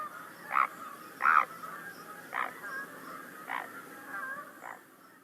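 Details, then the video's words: A Great Blue Heron gives five harsh, low croaks about a second apart, each brief and rough, over a faint steady hum. The croak-and-quack call of this harsh squawker can be mistaken for a frog. "This sounds like a croak again."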